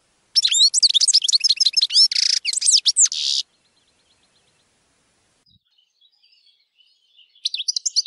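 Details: European goldfinch giving a dense three-second outburst of liquid twitters, chirps and a buzzy rasp, then quiet faint notes before another twittering burst begins.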